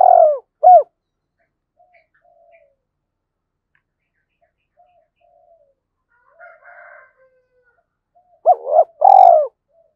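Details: Decoy spotted dove gáy call for attracting wild doves: a phrase ending in a long coo and short hoot, a long quiet stretch with faint murmurs, then a fresh phrase of stacked hoots and a throaty rolled coo.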